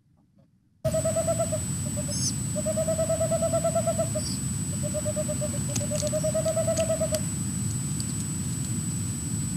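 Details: Boreal owl (Aegolius funereus) male and female calling near the nest, staccato song defending the nest tree: quick runs of soft, even hoots on one mid pitch in bursts of about a second, over a steady high electronic whine and low rumble.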